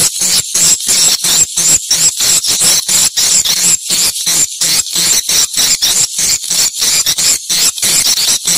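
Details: Swiftlets sounding at a location check, with shrill high twittering delivered in fast pulses broken by brief regular pauses, about three per second.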